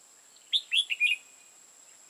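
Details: Red-whiskered bulbul decoy at a trap in Hoa Binh, Vietnam, uttering one crisp phrase of four quick slurred whistles, rising then dropping, followed by silence and a brief click.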